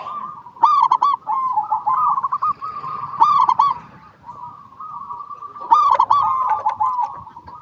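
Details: Local zebra dove singing, used as a lure to make other zebra doves sing: warbling, undulating coos at a steady mid pitch, with three louder accented bursts spaced roughly two and a half seconds apart.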